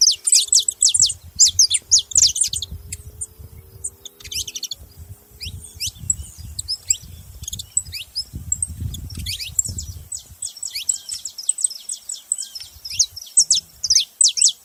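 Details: Saffron finch giving dense bursts of thin, high chirps and descending slurred notes, in clusters separated by short pauses, over a steady low rumble through much of the recording.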